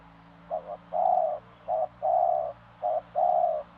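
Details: Spotted dove giving soft, mellow coos, each phrase a brief double note then a longer even coo, three phrases in steady succession against a quiet background hum.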